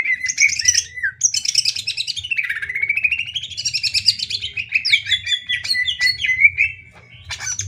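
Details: Greater green leafbird, a master song for tutoring other birds: a long continuous rich warble of rapid chattering and mimicked phrases, rising and falling without pause, with a low background hum.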